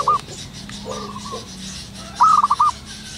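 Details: Local zebra dove in the wild at morning, one bright rapid run of five clipped cooing notes near the end, after faint distant coos and low background hum.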